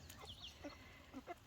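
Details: Backyard chickens in the evening, let out through a propped gate to free-range for the first time: a few soft, low clucks spaced about half a second apart, with faint higher chirps early on.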